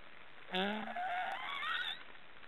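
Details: Snoring black storks: a single drawn-out, nasal, harmonic call lasting about one and a half seconds, starting low and steady, then rising and wavering higher before fading into soft background noise.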